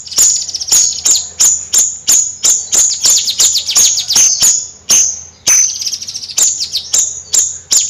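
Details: Bayeman singing siri-siri in nyrecet fashion: a long, fast string of sharp, ringing high chips, some doubled, delivered almost three per second with brief gaps, loud and close.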